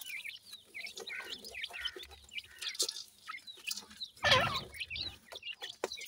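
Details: Grey francolin chicks kept in a breeding setup, a female feeding insects to the young; dense overlapping high chirps and peeps, with one louder burst of sound near the middle.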